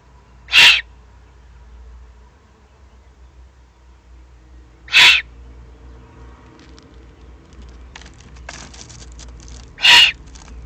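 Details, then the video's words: Excited eagle-owl youngsters in Germany's Eifel, June 2020, giving three harsh hissing begging screeches roughly every five seconds, with scattered crackling noises near the end. "Eifel Uhu, 2020-06-21, aufgeregte Junguhus."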